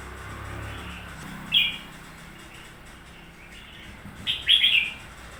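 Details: Newly bought red-whiskered bulbul, presumably caged, giving one clear high chirp followed a few seconds later by a quick tumbling run of bright warbled notes, set against a faint low hum.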